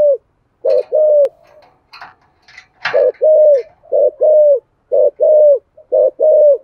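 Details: Spotted dove in the 'thổ' voice style, recorded for luring wild doves: after a few clicks, chirps and a noisy rustle, a regular series of deep coo pairs begins, a short note followed by a longer falling one.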